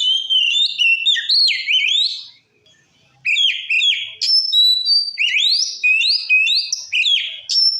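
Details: White-rumped shama singing loudly to stir up other shamas: fast, varied whistled notes leaping up and down, a brief pause, then a long dense run of sliding whistles.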